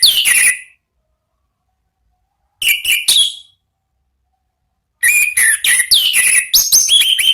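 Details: Ngeplong-style song of an orange-headed thrush in three loud, separate bursts. Each burst mixes ringing whistles with quick chirps, and the final burst is the longest and most varied, with falling slurred notes.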